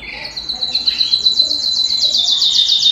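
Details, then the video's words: Canary singing at home, a quick buzzy opening then a long, fast, bright trill that grows louder toward the end. "canary bird - canary singing - canary sounds - canary singing at home - beautiful canary birds"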